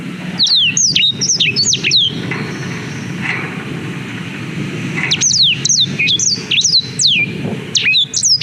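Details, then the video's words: Black-throated canary song, recorded with a GoPro Hero 5 as tutor material for young canaries: two bursts of quick, sharp whistled notes sliding up and down, separated by a pause, over a steady low rumble of traffic. "Suara Blackthroat Durasi Panjang Untuk Masteran Kenari"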